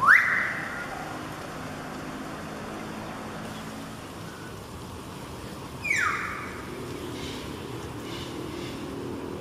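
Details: Two loud, shrill, piercing whistles from a common hill myna near Bukit Timah Nature Reserve/Bukit Batok Nature Park, Singapore, one sharply rising at the start and one falling about six seconds later, over a steady background hiss.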